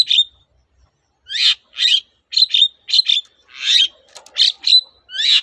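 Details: Long-tailed shrike (cendet), whose song serves to prompt silent shrikes to sing, giving harsh raspy notes in pairs and singles with a short pause early on.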